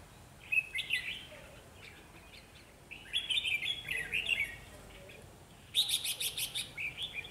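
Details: Decoy red-whiskered bulbul singing to lure wild birds into a trap: short bursts of warbled, slurred whistles, with a sharper, higher rapid chattering series near the end.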